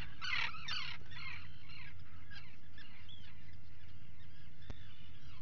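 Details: Burrow camera recording of Atlantic puffins at breakfast, 04:58 on 28 June 2019: a loud cluster of rasping harmonic calls at the start, then softer repeated notes fading over a constant low hum.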